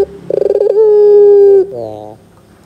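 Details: Lure sound of a Barbary dove, gacor dor type, used so young birds respond: a rapid stuttering pulse run straight into a sustained even coo lasting nearly a second, then a softer falling coo.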